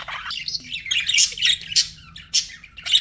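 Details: Pet budgerigars chirping, meant to calm lonely birds: busy warbling chatter of short buzzy and squeaky notes, bursts irregularly spaced with brief pauses, over a faint low hum.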